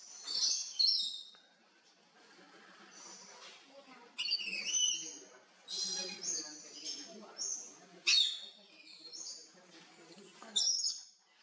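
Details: Scarlet-breasted lorikeets grooming each other give shrill, harsh screeches and squeaky chatter in bursts every second or two, with soft rustling between calls.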